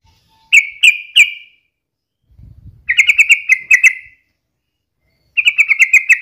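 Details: Sooty-headed bulbul in lively voice, a daily lure to prompt other bulbuls to sing: three spaced whistled notes, a soft low rustle, then two rapid runs of ringing chirps.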